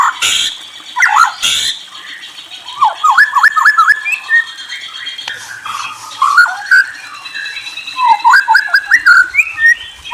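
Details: White-rumped shama song: sharp clicks open, then series of quick rising whistled notes and varied warbled phrases, loud and melodious throughout.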